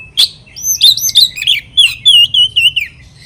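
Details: Kacer, or oriental magpie-robin, singing to stir rival birds: a sharp opening chip, then a fluent series of loud whistled notes, looping and slurring downward, about three per second.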